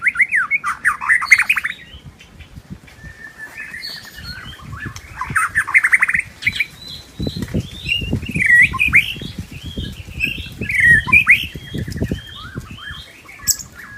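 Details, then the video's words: Wild white-rumped shama in forest: loud buzzy rattling bursts and varied whistled phrases, with low rustling or flapping noises underneath in the second half. "Kicauan Murai Batu Merdunya Suara Kicau Burung Liar di hutan"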